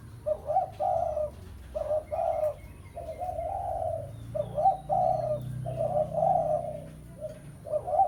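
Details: A spotted dove calls a rival in the 'pesom' lure style, its coos coming in quick bursts of two or three, some drawn out longer, almost without pause through the clip.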